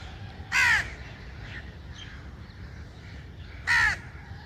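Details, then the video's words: Two loud, hoarse caws from a crow, spaced about three seconds apart. Each is brief and raspy with a slight downward slide, separated by near silence and faint background noise. "Crow's Crowing Sound Effect"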